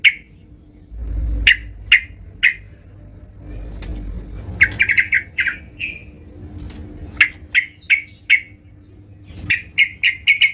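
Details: At home, a yellow-vented bulbul in lively voice gives short, harsh chirps spaced irregularly, with a brief bubbly cluster midway, against a faint low indoor hum.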